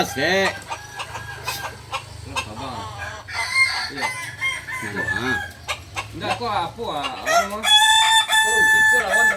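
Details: At a Sunday practice contest in Ampang Kualo, several kukuak balenggek chickens crow among crowd noise; short wavering crows are scattered throughout, ending in a strong, steady harmonic crow, with clapping, laughter and music around.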